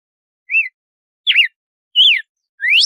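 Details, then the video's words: Four whistled notes from a red-cowled cardinal's açoite-style 'compasso' song: a soft arched note, then a wavering downslur, a falling twisted note and a long rising sweep, evenly spaced, nothing else heard. "Canto do Galo-de-Campina de Açoite 🐦 Melhor Canto de compasso"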